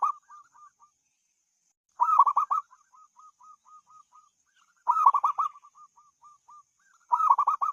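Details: A zebra dove coos melodiously, repeating a loud stuttering cluster of rolling notes roughly every three seconds, with runs of gentle single coos trailing after each cluster. The background is quiet.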